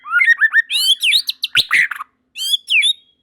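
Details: White-rumped shamas in full song, with other birds quickly joining in. A quick run of rising and falling whistles mixes with sharp chirps and a rough, buzzy burst, then two short whistled notes.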